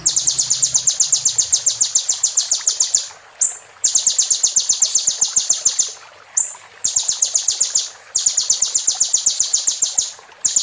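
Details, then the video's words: Long, fast, high rattling trills in several phrases with brief gaps, from a kolibri ninja sunbird tutor recording played while caged birds moult. "MASTERAN KONIN FULL ISIAN ROLL TEMBAK"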